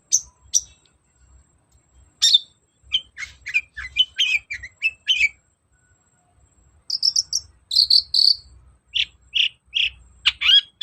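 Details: Long-tailed shrike singing as a lure for a bird that won't sing: a dense, varied run of chattering, scratchy and high, thin notes with brief pauses, at times fast and rattling.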